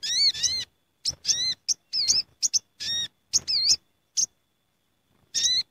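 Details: Sooty-headed bulbuls calling together in a gathering flock, a lure sound: clusters of clipped chirps and bubbly, wavy harmonic notes, then a pause of about a second before another harsh double burst.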